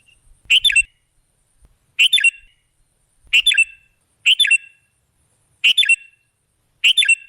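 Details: Kutilang, the sooty-headed bulbul, sounding as a lure for trapping birds: six crisp chirpy phrases of quick notes, repeated about every 1.2 seconds over a clean, quiet background.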